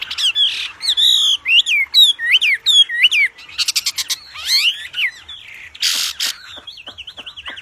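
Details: Wambi in song form with a loud voice, a master song for training birds: clear looping whistles repeated about twice a second, then buzzy rattled notes and a wavering trill.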